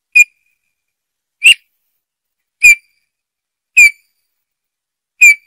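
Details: Eurasian bullfinch repeating a plaintive downslurred whistle five times, roughly every 1.2 seconds, each note brief and pure, no other sounds.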